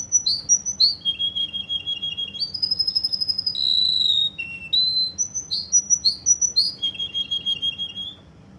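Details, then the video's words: Kuwaiti Russian canary song, loud and continuous. Fast rolling trills alternate with sustained pure whistles and high, rapidly pulsed tours that step down and back up in pitch. "Russian canary from Kuwait"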